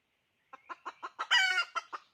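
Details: Five brisk clucks from a decoy hen lead into a loud harsh squawk, then two more clucks.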